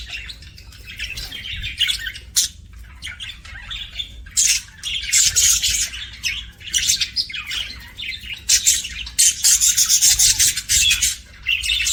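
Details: Pet budgies giving happy sounds: rapid, fast-paced scratchy chirps and squawks in clustered bursts, growing busier and louder in the second half.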